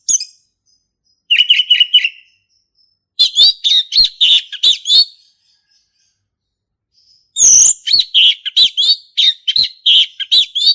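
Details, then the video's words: Male orange-headed thrush, recorded in the forest, delivers energetic ngeplong song: a falling whistled phrase, then longer runs of rapid, varied chirps and slurred whistles mixed with brief harsh notes, broken by short silences. "SUARA ASLI HUTAN ANIS MERAH JANTAN GACOR NGEPLONG"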